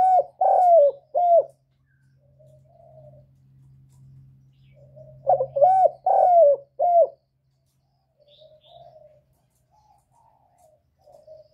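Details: Spotted dove cooing to stimulate newly kept birds: two full phrases of mellow, hollow coos about five seconds apart, separated and followed by soft wavering murmurs, over a faint low hum.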